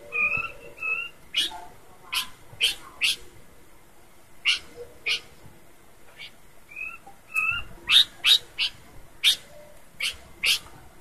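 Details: Horsfield's babbler singing busily in its characteristic voice: pairs of level whistled notes interspersed with many sharp, percussive chips repeated roughly every half second in places.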